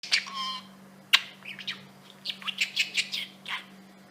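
A budgerigar chatters in a high, scratchy voice, mixing a brief word-like phrase with quick chirps and squawks.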